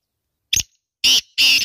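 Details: Female black francolin (kala teetar) calling: three harsh, raspy bursts, a short first note followed after a pause by two longer grating notes, with clean silence between them.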